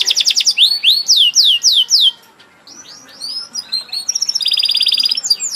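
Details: Canary song with slow, loud down-slurred whistles, a brief pause, then softer sweeping notes building into a rapid, dense trill at the end.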